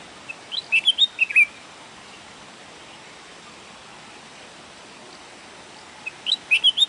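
A red-whiskered bulbul gives two bursts of bright, bubbly whistled notes, about five quick chirps each, separated by a long pause over a quiet hiss.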